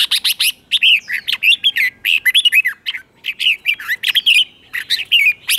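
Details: Continuous song of a red-whiskered bulbul in the doubled style, meant for young birds to learn: lively, clear warbling phrases of rapid rising and dipping whistled notes, nearly unbroken throughout with one short break.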